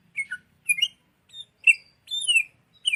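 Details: Sooty-headed bulbul song for training songbirds: a few separate chirped phrases, including a long downslurred whistle, with high thin notes over them.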